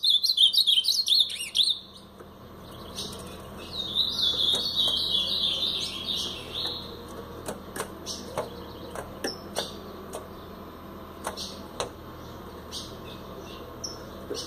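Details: Blue-black grosbeak in brown plumage delivering Paraná-style song: a loud warbled burst at the start, then a longer jumbled, twittering phrase of about three seconds, followed by scattered sharp clicks and chip notes with hum in the background.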